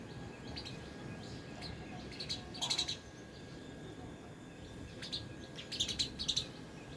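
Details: Sparrows eating at a homemade plastic bird feeder in an apartment space: bright, high chirps in short clusters, a pair of bursts early and a quick run near the end, against soft background noise.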